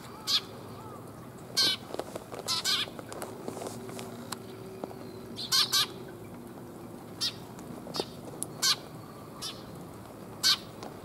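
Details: Sparrows arriving to be fed on 5 December 2021, on the way out: short, sharp high chirps scattered through the recording, singly and in quick pairs, over a faint steady background hum.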